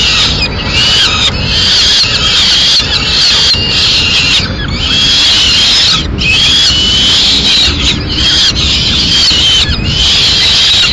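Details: Peregrine falcon nest in Madrid on 4 May 2016: the male brings a swift, feeds the chicks piece by piece, then they eat alone. Thin, high whistled calls rise and fall again and again over a steady loud hiss.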